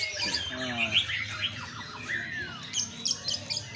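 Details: White-rumped shama in a sunbathing session meant to strengthen its voice, giving a rapid, high warbled song of twisting whistles and short slurred notes, with faint voices and low background hum beneath.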